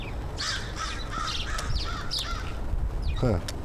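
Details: Crow giving a greeting on 13 September 2013 as breakfast is offered: a quick series of raspy caws over about two seconds, then a brief lower sound near the end.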